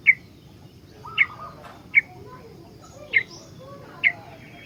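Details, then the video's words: Sooty-headed bulbul, a vocal full-song singer used as a master for other bulbuls: clipped chirps repeated roughly every second, with soft low warbling notes between them. "BURUNG KUTILANG SUPER GACOR ISIAN, COCOK BUAT PANCINGAN/MASTERAN KUTILANG LAIN"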